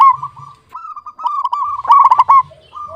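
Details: Local-type zebra dove in clear, frequent song, giving a continuous run of soft rolling coos punctuated by a loud rapid stuttering burst near the end, then quieter coos resuming.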